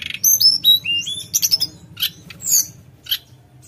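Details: Javan whistling thrush singing in the flute-like, long-rolling nyuling ngerol style: clear, high, slightly falling whistles in quick succession, then short bursts of sharp chirps over a faint low hum.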